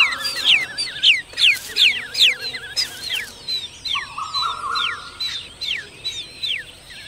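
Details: Close, loud Striated babbler near eggs and chicks: sharp descending squeaky notes repeated about two or three times a second, rhythmic pulses fading slightly, with a steady mid-pitched drone entering halfway.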